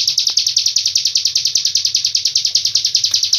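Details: Hill prinia delivering its long-breath song with cililin filling, a fast, steady rattle of shrill, high-pitched notes that continues throughout, over faint low-pitched noise.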